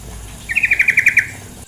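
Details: Female sooty-headed bulbul call with flowing water: a short, even trill of about eight bright, clipped notes lasting under a second, heard over a steady rushing-water background.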